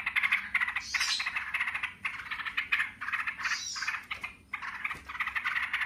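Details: In the "ngebren" style, yellow-vented bulbuls call back and forth with dense buzzy rattles, broken by short gaps and two higher whistled sweeps.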